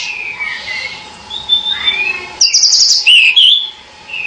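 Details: Pied bushchat giving varied whistled phrases, sliding downward notes early, then a burst of high sweet twittering and looping whistles, over a constant low hum.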